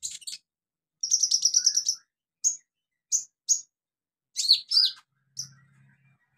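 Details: Olive-backed sunbird song used to stimulate birds that have stopped singing: a rapid high buzzy trill lasting about a second, then separate sharp high chips and a few squeaky, down-slurred notes, with a brief low hum.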